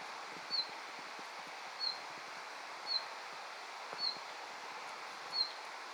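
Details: Territorial calls from a male red-flanked bluetail encountered while hiking in the mountains, outside its main singing period; five brief, high, downslurred notes at irregular intervals of roughly one second, over a faint rustling, windy background.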